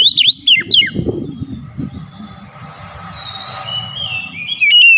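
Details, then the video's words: Oriental magpie-robin whistling to provoke a silent bird into song: a quick burst of sharp looping whistles at the start, a long stretch of low rumbling background, then piercing whistled notes return at the end. "PANCING KACER MALAS BUNYI"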